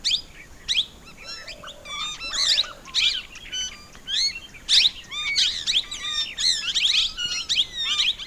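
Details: Plum-headed parakeet chatter: dense, high, squealing downslurred notes and short whistled chirps, overlapping and busy throughout, as if several birds call together.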